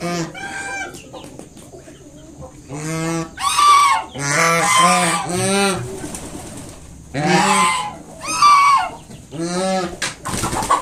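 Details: A mother swan honks to chase away a person approaching her five newly hatched cygnets: separate bouts of loud, nasal, trumpeting honks, some in fast pairs, with quiet gaps of a second or more between bouts.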